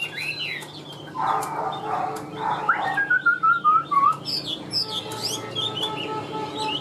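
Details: Caged Chinese hwamei, described as a tame bird with a strong beak and very even voice, sings a varied song: rising chirps, a descending run of clear whistled notes, then mixed warbles over a steady low hum.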